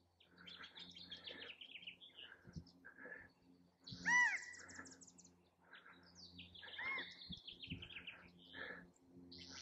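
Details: A male California quail calls for a mate, giving a loud arched whistled call near the middle and a softer one later, over a busy background of chirping and twittering birds.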